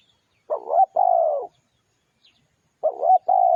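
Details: Spotted dove lure song: two cooing phrases, each a brief burbling double note followed by a sustained, slightly descending coo. A quiet gap separates them, with no other sounds.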